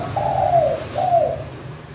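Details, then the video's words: Clear crystal-style manggung cooing of a spotted dove, used to lure reluctant doves into calling: two drawn-out, soft coo notes, each sliding slightly downward, over a faint low hum. "Tekukur/ Derkuku suara kristal manggung"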